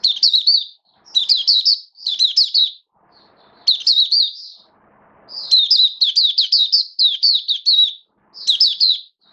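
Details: Kept oriental white-eye (mata puteh) in build-up form, 19 September 2022: bright, fast chirping song phrases, each a cluster of quick high notes, returning every second or so, with faint soft rustles between.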